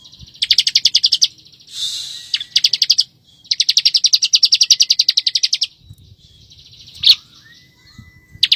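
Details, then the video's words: Master recording of bar-winged prinia for white-rumped shama training: several rapid bursts of shrill repeated chirps, one nearly three seconds long, broken by a short harsh rasp and quiet gaps. "CIBLEK GACOR NGEBR3N RAPAT"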